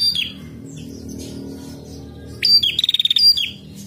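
A female prinia gives high, sharp chirps and downslurred notes, then a rapid ticking trill of about eight notes, over a faint low background hum.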